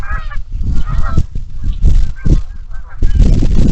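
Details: Many geese and ducks at Iroquois National Wildlife Refuge marsh in the morning: geese give nasal, overlapping honks in short bursts over a heavy low rumble, likely wind, ducks possibly mixed in.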